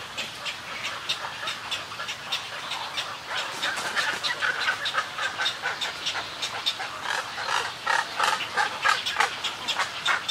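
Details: A Snowy Egret colony gives harsh, raspy, overlapping colony and greeting calls in rapid irregular bursts, with wingbeats, many birds calling at once.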